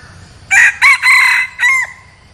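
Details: Crow of a red junglefowl kept as a decoy bird to lure wild junglefowl: four loud harsh bursts in under two seconds, the last drawn out and trailing downward, over quiet low background hum.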